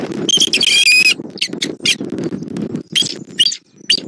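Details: Bald eagle at the nest in Southwest Florida, 20 January 2024, adult male arriving with a fish; one shrill, wavering chittering burst followed by short clipped squeaks, with rustling and wind beneath.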